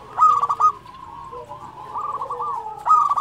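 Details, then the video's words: Local zebra dove singing actively. A sharp clipped burst of staccato notes opens, then a rolling, purring run of trilled coos, and a fresh stuttering burst closes the passage. "SUARA perkutut lokal gacor"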